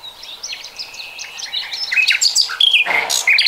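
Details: Common nightingale singing in 2020: a jumble of varied whistles and slurred notes, growing louder toward a harsh broadband burst and sharp high notes.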